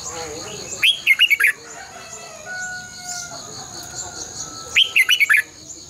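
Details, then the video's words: Decoy song of a red-whiskered bulbul for training caged birds: two bursts of quick, bright warbled notes about four seconds apart, with faint thin whistles from other birds between and a constant high hiss behind. "luyện chào mào hót sáng 2020 - Giọng kép xoắn dài Quá hay hót căng lửa"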